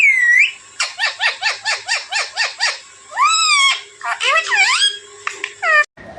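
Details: Young Alexandrine parakeet starting with a falling cry, then a steady series of about ten short, evenly spaced squawks, followed by longer rising and falling harsh calls.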